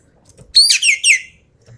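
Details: A single loud burst from a Javan pied starling, three quick, harsh, descending squawky notes in the full tembakan style, with a faint bump beforehand.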